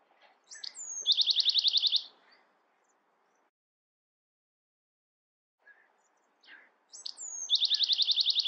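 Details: Bewick's wren giving two song phrases about six seconds apart, each opening with sharp high notes and a slurred whistle before a rapid, even buzzy trill lasting nearly a second; quiet pause between.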